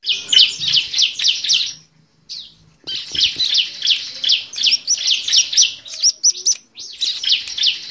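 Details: Bar-winged prinia (ciblek) lure sound, played to prompt reluctant birds to sing. Rapid runs of sharp, high chirps tumble out one after another. They break off briefly near two seconds, then resume in a long, steady series.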